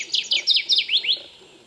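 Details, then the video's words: Kirtland's Warbler singing on its breeding territory among jack pines in Michigan in June: a brisk phrase of about six bright, sharply down-slurred chip notes, rising slightly in loudness, over faint background hiss. "You can hear them, they're singing all over the place."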